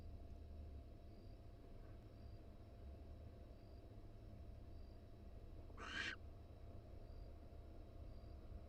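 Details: Female barn owl nesting in a University of Florida nest box on the day she laid her second egg, wild and on camera; a single brief, rasping hiss-screech stands out against a constant low background hum.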